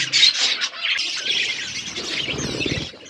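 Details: Short burst of budgerigar flock chatter while the birds feed in an aviary: loud squawky warbles at first, then softer continuous twittering with low rustling.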